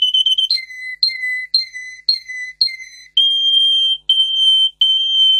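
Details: Russian singer canary, a breed kept for singing, in a song made for training canaries: rapid chirps, then a run of repeated two-part notes about twice a second, ending in long steady high whistles.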